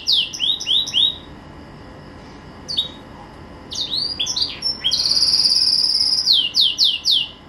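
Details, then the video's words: Green canary kept as a household pet, singing: bursts of high swept whistles separated by quiet pauses, then a long steady buzzy trill followed by several clear down-slurred notes. "Kicau Merdu si KENARI Ijo"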